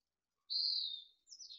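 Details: Mountain chickadee nestlings in a nest at Truckee during fledging, late June 2020, early morning: a clear, steady high whistle held for about half a second, then a shorter, higher note sliding downward, with silence around them.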